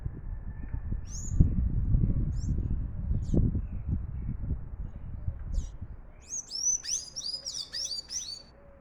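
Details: Sayaca tanager singing a lot: a few scattered high, thin squeaks over low rumbling background noise, then a lively burst of rapid, squeaky, high-pitched twittering notes in the last seconds.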